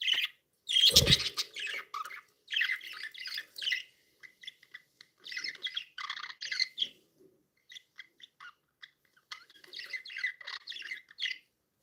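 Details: Happy pet budgerigars, several birds, chattering nonstop in fast bursts of scratchy chirps and squeaky warbles, pausing briefly between bursts, with one loud thump near the start.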